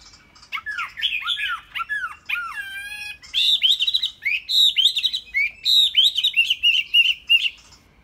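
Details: Kept Chinese hwamei in full song: rising and falling whistled loops, a brief high ringing note, then a rapid run of bright, clear phrases repeated several times a second before fading out.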